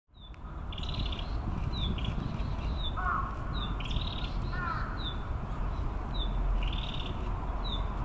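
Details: A Narcissus Flycatcher in Maruyama Park, Sapporo, Hokkaido, Japan, on 17 May 2017 sings short high whistles alternating with buzzy rattled notes, repeating about every second, over a steady low rumble of wind or distant traffic.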